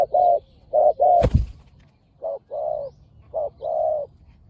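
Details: Spotted doves, a fierce pair, during a decoy-luring session. Short low hollow coos come in pairs and triplets, each a brief note followed by a longer drawn-out one. A sharp knock sounds midway.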